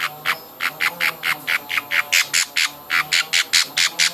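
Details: Baby budgerigars being hand-fed give loud, harsh, rasping begging calls, repeated rapidly about twice a second in a steady pulsing series, with a faint low hum in the background.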